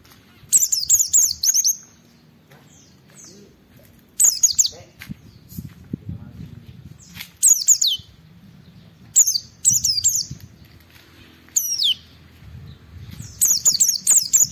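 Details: Caged Oriental white-eye in full loud song meant to trigger rival white-eyes into singing: short bursts of high, rapid, squeaky twitters and downslurred whistles repeated every one to two seconds, with quiet gaps between.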